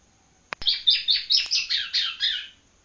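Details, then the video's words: Young yellow-bellied prinia (ciblek kuning) of Palembang learning its song: two sharp clicks, then a run of about nine high, slightly buzzy chirps in quick even succession, fading at the end. "anakan ciblek kuning palembang blajar bunyi"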